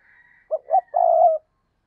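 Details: Decoy spotted dove cooing to lure others: a faint higher coo in the background, then two clipped low notes and a long, steady, hollow final coo.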